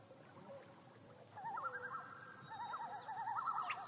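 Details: A common loon on Yellowstone Lake gives a wavering, laughing tremolo call, a rapid quavering run of notes held for a few seconds over a quiet background.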